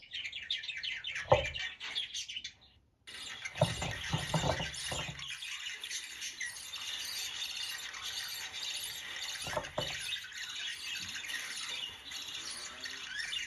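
A budgerigar chatters with rapid, scratchy chirps and warbles over a steady background hiss.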